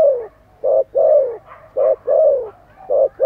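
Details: Spotted dove in lively calling, delivering low coos in quick succession, brief notes and longer falling coos alternating at a steady, rapid pace.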